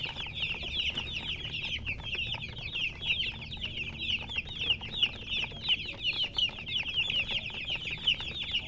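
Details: Colored chickens chirping in a crowded, steady stream of high, piercing peeps, several birds calling at once throughout, louder bursts now and then.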